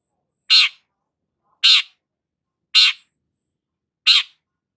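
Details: Harsh, grating single notes from a long-tailed shrike, four in a row at roughly one-second intervals, evenly loud, in otherwise quiet surroundings.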